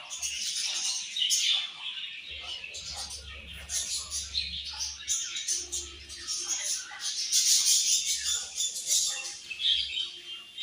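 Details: A group of colorful budgies keeps up a long, unbroken warbling chatter of high buzzy twitters and quick chirps, rising and falling in loudness, with some speech-like chattering mixed in.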